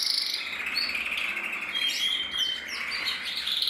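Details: Male canary from 2024 sings a continuous high trilling phrase with steady buzzy rolls and a few sharp whistled notes sliding across the top.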